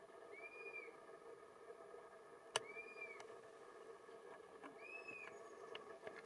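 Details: A Dusky-capped flycatcher near Portal, Arizona, 1 June 2024, gives three plaintive, slurred whistles about two seconds apart, each rising and then falling, over a steady low hiss with a few faint clicks.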